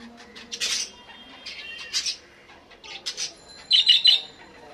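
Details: Budgerigar giving loud, harsh squawks and chirps in separate bursts, ending with a quick run of three sharp repeated notes.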